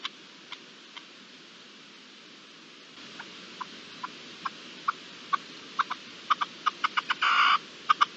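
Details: Wild red-legged partridge recorded 13–14 March 2022, giving short, dry chuck notes that start sparse and quicken, with a brief rushing burst near the end as the bird flees.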